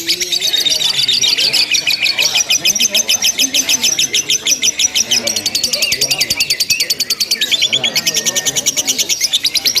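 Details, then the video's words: Lovebird in a simulated singing contest giving the ngekek style of long, unbroken chattering: a dense, rapid, high-pitched rattling trill, fast pulses running on without pause, with faint low murmurs beneath. "LOMBA LOVE BIRD TERBARU 2025 NGEKEK TANPA JEDA DURASI PANJANG"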